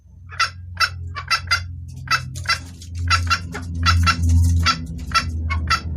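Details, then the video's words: Hen red junglefowl calling the male: a series of short, hard clucks, some in quick pairs. A loud low droning hum swells in the middle and partly masks the notes. "Suara ayam hutan betina gacor pangil pejantan"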